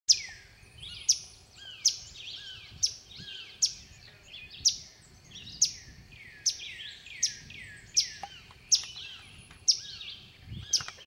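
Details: Swainson's warbler singing in Pitt County, North Carolina: loud clear slurred phrases, each ending in a sharp descending whistle, repeated roughly every second with steady background hiss.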